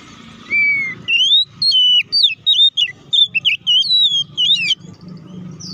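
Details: Oriental magpie-robin song used as a lure to provoke a quick, aggressive response: rapid varied whistled phrases, sharp rising and falling notes in quick bursts about every half second, over a faint low hum.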